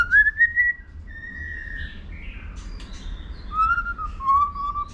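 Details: White-rumped shama singing to stimulate young birds into competition singing: clear whistled notes sliding upward, a long level whistle, a few softer notes, then a falling two-part whistle near the end, over low background rumble.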